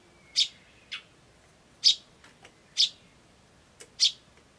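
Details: A Eurasian tree sparrow chick gives short, high, feeble chirps, weaker than usual, perhaps from tiring, about one a second with uneven gaps. An oriental turtle dove and a crow call somewhere. 21 May 2013.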